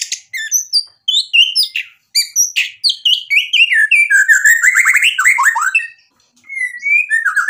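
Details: Energetic white-rumped shama song rich in isian filler phrases, used to provoke other shamas to sing back: clear whistles and buzzy chips give way to a long rapid rattling trill, a brief pause, then more whistles.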